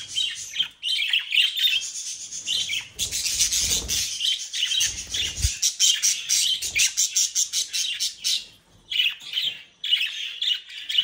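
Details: Captive budgerigars in the Den Haag region, Netherlands, chattering almost nonstop: a dense mix of buzzy warbles, chirps and squawks, with some low rustling partway through.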